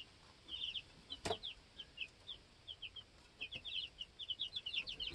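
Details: Baby chickens two weeks old on a homestead, hopping around and challenging each other for pecking order; quick high peeps, sparse at first then thickening into a busy chorus, with one sharp knock.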